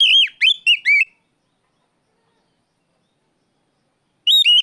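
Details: Oriental magpie-robin (kacer) shouting at a rival: a brief cluster of four looping, downslurred whistles, then silence, then another quick pair of similar notes.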